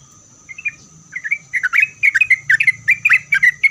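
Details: Chatty Sooty-headed bulbul singing to prompt other bulbuls to respond: a couple of soft notes build into a quick, bubbling series of short, rolling whistled phrases, louder toward the end, over a faint constant high hum.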